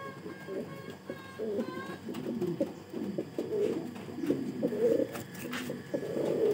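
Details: Pomeranian Pouter domestic pigeons give low, throaty rolling coos, several overlapping in a steady murmur, with a few faint higher squeaks.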